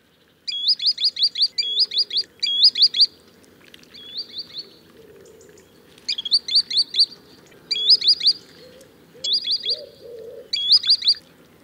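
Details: A green sandpiper, in a hunting lure call, gives high, clear whistled notes in quick runs of three or four, repeated in bursts over a faint low background murmur.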